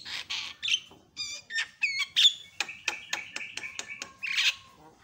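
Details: Javan myna reacting to a lure sound within seconds: harsh rasps, then a string of clear banded whistles and fast clicking notes, ending with a long flat tone and a noisy burst.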